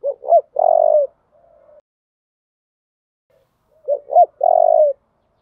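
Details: Spotted dove fighting call, used to spur doves to fight and coo: two identical phrases about four seconds apart, each of two quick hooked coos and a longer falling coo, with a faint soft note after the first.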